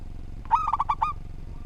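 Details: Local zebra dove (perkutut) singing eagerly, recorded as a master voice for training other doves. One short phrase of about five rapid, rolling coos, each note clipped and bright, over a faint low hum.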